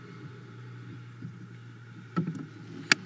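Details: A steady low hum fills a quiet nest box in Hungary in February, broken by a few soft knocks and one sharp click, with no animal call.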